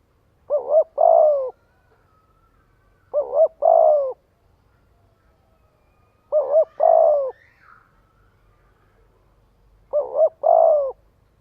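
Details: Spotted dove giving its luring call to draw in a flock: four soft, low cooing phrases roughly every three seconds, each a wavering two-beat note then a longer sliding coo, with a faint thin whistle midway.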